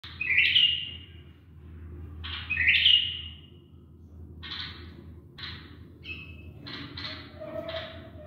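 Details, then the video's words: Tame bulbul kept as a pet, singing during mating training: short bright chirps and upslurred notes, two louder phrases in the first three seconds, then softer clipped notes, over a steady low hum. "تغريد بلبل أليف"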